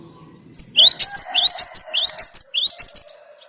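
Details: Cinereous tit song used as a bird lure: steady, rapid string of loud, sharp upward-sliding whistles with a bright high note on each, repeated around three times per second.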